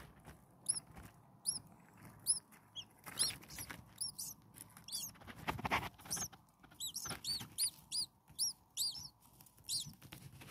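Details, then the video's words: Hungry common starling nestlings, six chicks only a few days old in a nest, repeating high arched squeaky begging calls in clustered bursts every second or so, with scratching and rustling noises in between. "Hungry Six Starling baby birds"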